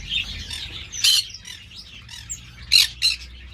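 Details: Amateur-bred green-cheeked parakeet: a rasping screech, then softer chattering notes, followed by two quick harsh shrieks close together near the end.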